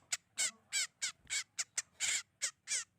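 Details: Sogon bird in a trapping lure recording: harsh, noisy bursts repeated about three times a second, each short and rasping with a broad high edge, uneven in spacing.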